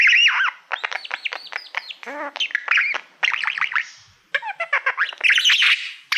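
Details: Pet budgerigar, a mirror-loving male, performing mirror song at a play button: fast, varied chatter of arched whistled chirps, short buzzes and clicks in quick bursts.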